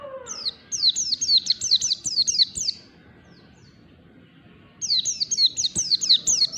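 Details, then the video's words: Morning song of a white-eye: a rapid string of high, thin downward-slurred notes, then nearly two seconds of near silence before another quick high chirping run. "PLECI NGALAS DI PAGI HARI"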